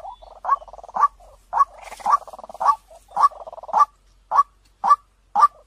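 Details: Clear-toned decoy call of a white-breasted waterhen. Strong croaking notes come roughly twice a second and alternate with rapid bubbling pulsed trills.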